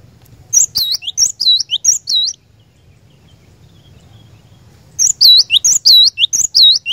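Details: Caged Java sparrow song played to prompt another bird to sing: two bursts of high chirping notes, each with looping, whistled upswept syllables repeated quickly, separated by a few seconds of quiet low hum.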